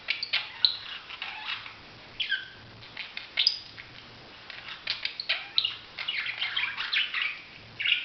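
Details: Budgerigar chatter of scattered chirps, squeaks and short downslurred whistles, irregular and softer, with quiet pauses between bursts.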